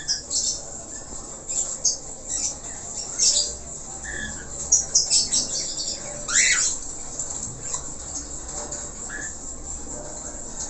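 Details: Budgerigar, described as a Falk bird singing actively with many varied phrases, giving a busy chatter of high, scratchy chirps and squeaks with a few short rising whistles over faint background hiss.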